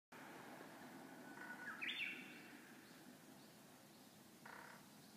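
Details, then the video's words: Japanese bush warbler singing on 16 May 2021, a single faint phrase: a steady low whistle followed by a quick rising, higher flourish about two seconds in, over constant background hum, with a short tonal burst near the end. "鳥の鳴き声 ウグイスbird chirping"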